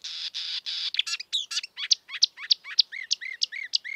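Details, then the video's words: Free-living marsh warbler: three buzzy hissing notes, then a quick string of sharp downslurred chirps alternating with lower looping whistles, nearly four notes a second. "kicauan merdu burung marsh warbler / kerak basi di alam bebas"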